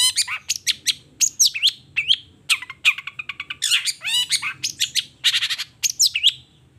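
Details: In the morning a long-tailed shrike sings a continuous varied stream of repertoire: quick chirps, slurred whistles dropping in pitch, and raspy bursts with hardly a pause.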